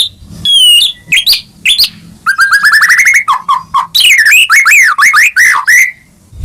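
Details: White-rumped shama song meant to rouse a silent caged bird: downslurred whistles, a steady accelerating series of rising notes, low clucks, then looping warbled whistles.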